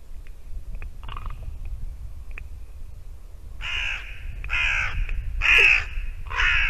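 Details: Ravens calling at a white-tailed eagle nest in Latvia, 2 December 2019, morning: faint clicks and short notes, then four loud, drawn-out hoarse croaks roughly every second.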